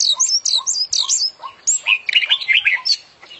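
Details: Oriental magpie-robin in champion-style full-isian song: a fast series of very high, sharp whistled notes about three per second, followed by a denser warbled and chattering passage.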